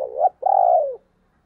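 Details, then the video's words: Spotted dove from a 2022 recording of thúc and gáy gọi calls: a short rising lead note, a tiny gap, then one long hollow coo that sags downward at its end, with faint low hum beneath. "tiếng cu gáy/ thúc + gáy gọi mới nhất 2022"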